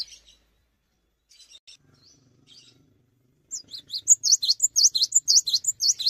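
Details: Cinereous tit singing strongly in place without hopping, a performance said to trigger song in other tits; a few quiet twitters, then from three and a half seconds a loud, even string of high, sharply bending chirps.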